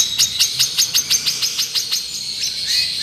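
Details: Long-tailed shrike, 'miyik' therapy song: a dry, rapid series of about nine clicky notes, roughly five per second, then a faint fading warble.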